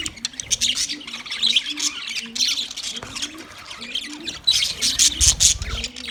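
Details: Male budgerigars, white-plumaged, chirping during mating: bursts of shrill overlapping chatter with brief lulls, and a faint low pulsing note repeated under the calls.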